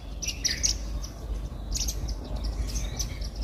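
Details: Several Indian silverbills eat grains from a garden feeder, giving quick, thin, high tweets in loose bursts with brief gaps. A constant deep background hum runs underneath.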